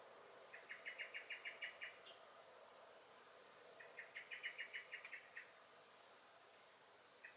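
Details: Common blackbird (Turdus merula) sounding alarm in a garden in May 2021: two rattling series of fast, sharp repeated notes about two seconds apart, each series around eight notes long, then near quiet.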